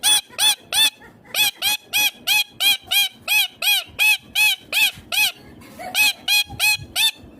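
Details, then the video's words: Ringneck green parrot giving a long series of loud, harsh, arched screeching calls, about three per second, each rich in overtones, with a brief pause midway before the calls resume. "Ringneck Green parrot Talking Natural Sounds"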